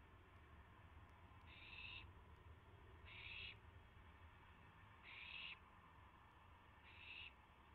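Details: Owl at a nest during a rabbit delivery, 3:38 AM on April 7, 2016, with several owls taking turns feeding; four short, harsh hissing bursts spaced about every two seconds over a low background rumble.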